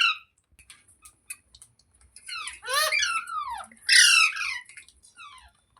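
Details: Green parrot making a jumble of downslurred, scratchy calls. They build to two louder bursts midway, with soft ticking and faint low thumps around them.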